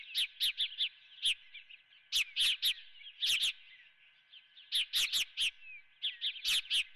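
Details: Osprey at the Dunrovin nest with a live golden fish for breakfast, giving bursts of sharp, whistled chirps in rapid runs of three to five notes, separated by short pauses, over a faint steady hum.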